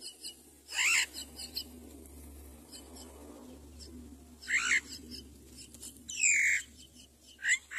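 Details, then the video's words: Common myna mother feeding her baby rice: loud harsh squawks in short bursts over a steady low background hum. "Mother myna brings rice to feed her baby"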